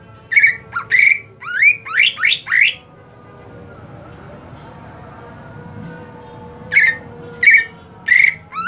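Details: Greater green leafbird in care during the hot season: a fast run of sharp, upward-sweeping squawky whistles, then a pause of about four seconds with soft background noise, then more evenly spaced loud notes.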